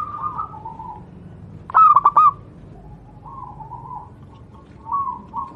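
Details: Zebra dove of local wild Javanese stock sings a single crisp burst of four fast cooing pulses, surrounded by quieter wavering whistled notes, as a tutor recording for other doves.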